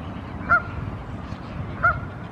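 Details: On a lake shore, a Canada goose parent calls its goslings together while a crow flies near. Two brief, clipped honks come about a second and a half apart against constant low background rumble.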